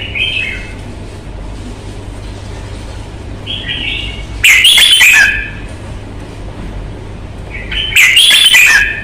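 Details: Red-whiskered bulbul from Vietnam, shown for fighting temperament and voice: soft short warbles alternating with two loud rich bubbly phrases about four seconds apart, with rasping noise and a low hum.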